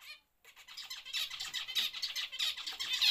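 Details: A home-bred colony of zebra finches in a free-flight breeding cage chatters continuously, with overlapping nasal, high-pitched beeps and squeaks in a busy, uneven stream.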